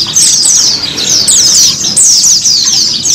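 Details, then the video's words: Short stretch of white-eye therapy song for encouraging a caged bird to sing: three fast, high descending twitter phrases, each about half a second to a second long. "TERAPI PLECI mempercepat pleci ngiriwik, pleci ngalas,pleci buka paruh,dan pleci gacor."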